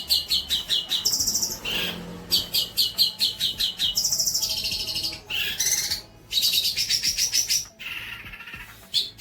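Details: Long-tailed shrike song for training young birds: a rich, varied medley of pulsed buzzy trills, scratchy chatter and short clipped notes, changing every second or two.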